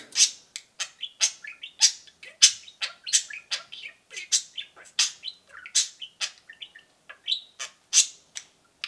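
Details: Rapid, continuous cheeping by a pair of pet budgerigars, loud sharp high peeps several per second mixed with softer chatter notes, a dense lively stream throughout.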